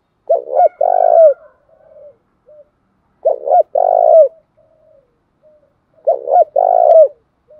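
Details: Male and female spotted doves calling to encourage kept birds to coo; three low phrases about every three seconds, each a quick doubled note and a longer vibrating coo falling at the end, with faint soft notes between.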